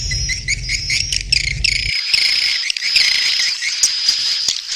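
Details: Swiftlet mating call: dense high chattering twitters with a thin sustained whine on top, a low hum under the first two seconds, then clear chirping alone.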